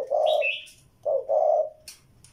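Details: Spotted dove cooing: two deep, hollow phrases, each a quick note joined to a longer drawn one, while a higher, thin chirp from another bird sounds over the first phrase.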